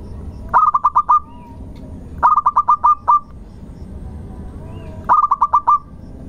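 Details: Local zebra dove singing to draw other birds into song: three short phrases, each of about six fast, soft coo notes at one steady pitch, separated by pauses of roughly two seconds.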